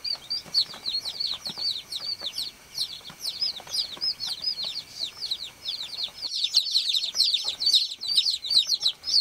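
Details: Baby chickens on a farm chirping to call the hen: a crowded flock of shrill, falling peeps, about two per second from each bird but overlapping, with a brief dip in background noise before the chorus swells again.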